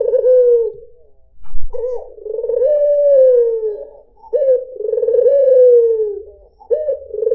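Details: White dove (puter putih) used to attract other birds: smooth, tremulous coos repeat in long phrases with a brief knock-like noise between the first two.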